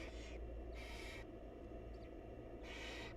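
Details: Wild barn owls in a nest box as the mother feeds her chicks; loud, rasping hiss-screeches in three bursts, faint chirps between them, and a strong low hum underneath.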